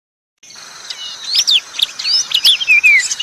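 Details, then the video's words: Lure recording for red prinias and other small birds: bright, quick chirps and sharp rising and falling whistles, tumbling several per second, with a few longer slurred notes near the end, clean and without other sounds. "pikat burung prenjak merah dan semua jenis burung kecil...jernih"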